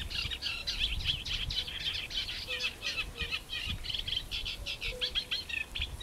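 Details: Eurasian reed warbler at ponds in Jaktorów, 10 May 2022, churring and chattering in steady, jerky phrases, each note repeated two or three times; soft low calls of fire-bellied toads sound faintly beneath.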